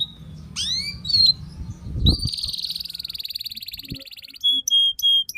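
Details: Canary tutor song for young birds: a sharp whistle and upward slurs, a long smooth rolling trill, then a few flat piercing whistled notes spaced apart; a soft hum and occasional knocks underneath.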